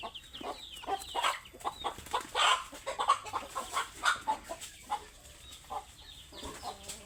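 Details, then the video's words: Hungry chickens giving rough, harsh clucks and squawks in quick uneven bursts, with fainter high peeps underneath and a dense, busy background. "Suara ayam lapar"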